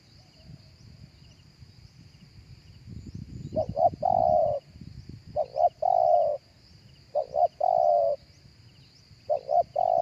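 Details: Spotted dove cooing live, recorded to lure other doves through a speaker. Low rumbling noise opens, then four phrases of two short notes and one long steady coo repeat about every 1.8 seconds. Faint high chirps of other birds continue throughout.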